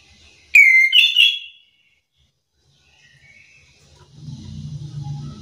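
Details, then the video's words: Orange-headed thrush singing to provoke other thrushes into a singing reply: one short, loud burst of tumbling whistled notes, followed by silence and then a steady low humming noise. "anis kembang malas bunyi langsung emosi ikut bunyi sahut sahutan"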